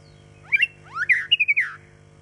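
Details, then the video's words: A caged white-rumped shama, a cage bird with a 20-centimetre tail, sings a short phrase of rising whistled slurs, then a quick run of clear piping notes and a falling ending, under a steady low hum. "Choè lửa đuôi 20 hót giọng dây"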